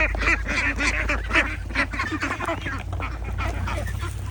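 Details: Flock of ducks with ducklings giving rapid overlapping quacks, about four per second, harsh and nasal over a constant low hum.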